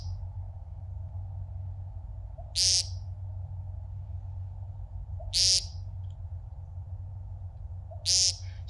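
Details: A male American Woodcock singing on the ground to attract mates and defend territory before its display flight: three harsh, buzzy, frog-like nasal peents about three seconds apart, each preceded by a soft low note, over a low rumble.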